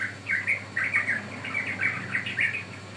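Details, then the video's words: Sooty-headed bulbul heard on a lure recording meant to draw or train birds, delivering quick bubbly whistled notes in a lively, nearly continuous series. "Pancingan Ampuh Burung Trucukan"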